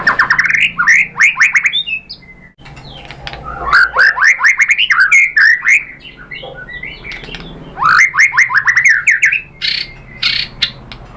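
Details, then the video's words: White-rumped shama singing to stimulate other birds: bursts of fast rising whistled sweeps, several per second, separated by pauses, mixed with chattering clicks and sharp high notes. "KICAUAN MURAI BATU merangsang BUNYI jadi NYAUT GACOR NGEPLONG BONGKAR ISIAN ¦ PANCINGAN MURAI"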